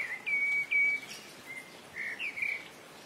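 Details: A colony of streak-throated swallows (Ababeel) gathered at mud nests by the Rice Canal, Sukkur Barrage, Sindh, Pakistan, gives high, thin, drawn-out chirps, then a pause, then a quick cluster of squeaky twitters.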